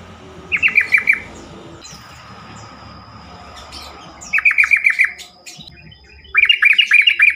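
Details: Yellow-vented bulbul (trucukan) sings as a lure to provoke other bulbuls into answering. Three bursts of bubbly, rapidly repeated gurgling notes come with pauses between them, over a steady low background hum.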